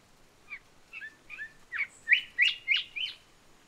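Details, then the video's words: Island whistler from wooded small-island habitat singing a jumbled whistled song: a series of about nine short, sliding whistled notes that grow steadily louder and sharper toward the end, spaced roughly a third of a second apart. "kancilan pulau, habitat di pepohonan pulau-pulau kecil, nyanyian berupa siulan campur aduk"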